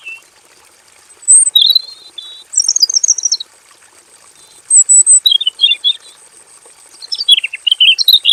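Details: Aviary-kept male robin singing a long, varied rolling song; short whistles, rapid chattering trills and a descending twittered run, in four bursts over a steady high-pitched background whine.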